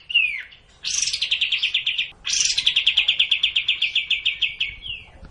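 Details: Sooty-headed bulbul, provocation sound for a bird that sings too little: a short downslurred whistle, then two extended trills of sharp repeated chips, each opening with a loud buzzy flourish.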